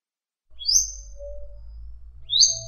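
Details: Madi injap song used to train other songbirds: two bright, upslurred whistled notes almost two seconds apart, with a faint low tone and soft rumble between.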